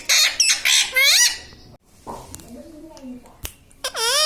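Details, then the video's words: Pet parrot mimicking the words "mummy papa": loud, harsh squawky syllables with bright stacked harmonics and bent pitch contours, a quieter murmuring stretch in the middle, then another sweeping squawk at the end. "Parrot talking mummy papa"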